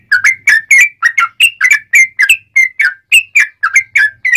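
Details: Sooty-headed bulbul singing, a recording meant to attract and trap wild birds: a fast, steady string of short, clear whistled notes, about fifteen in four seconds, alternating slightly higher and lower.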